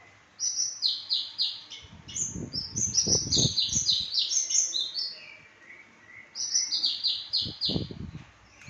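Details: Australasian bushlark, Papuan variety, delivering fast strings of high, clipped, buzzy notes in tight repeated series, a short lull, then another rapid run, over occasional low knocking sounds.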